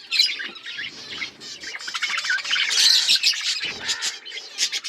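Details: Breeding budgerigars chirp and squawk together in a busy, high-pitched chatter.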